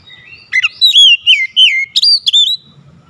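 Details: Kacer (Oriental magpie-robin) singing: a rapid string of sharp whistled notes and rich slurred phrases, some upslurred, some dropping, packed tightly over about two seconds, with a quiet background.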